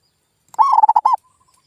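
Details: Lure call of a zebra dove, used to coax silent local doves into calling back: one rapid burst of pulsed, bubbling coos, a rising first note then quick stuttering notes ending in a longer coo, followed by a faint distant note.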